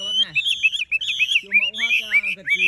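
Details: Tame caged Chinese hwamei, golden-yellow in plumage, pouring out loud clear whistled phrases, each a quick rising-and-falling slur repeated in close succession, rich and fluting, with no other sounds.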